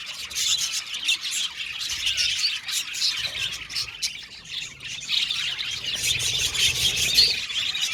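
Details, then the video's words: Budgerigars in an aviary colony, a dense flock chorus of high chirps, squawks and warbled notes overlapping continuously with no pauses. "Budgie Sounds for Lonely Budgies | Natural Relaxing Chirping Sounds"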